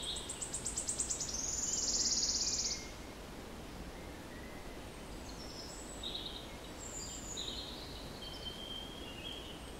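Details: Wood Warbler song recorded 06-07-16: a high ticking series speeds up into a loud, shivering, buzzy trill that swells in a crescendo and stops abruptly after about three seconds; other birds call faintly afterwards over steady background hiss.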